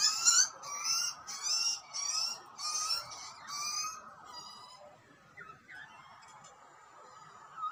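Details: Wild butcherbird young in Australia screaming for food at feeding time: several loud, rising harmonic squeals in a row, fading to faint calls and background noise.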